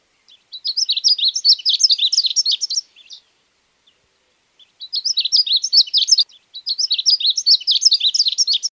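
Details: Ultramarine grosbeak, known as azulito, from Uruguay: three bursts of hurried, liquid warbling in high register, the first about two and a half seconds long, with a clear pause after it.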